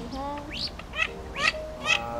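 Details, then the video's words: Mandarin ducks, male and female, give flock-calling thin, rising whistled calls, three in quick succession about half a second apart, over a faint steady tonal hum. "Tiếng Vịt Uyên Ương Trống Mái Gọi Bầy"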